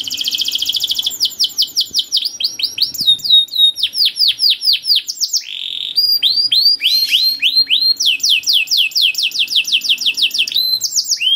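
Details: Canary singing continuously in long 'cuit cuit' phrases: high rapid trills, downward-curving chirp series and buzzy notes, repeated with little pause.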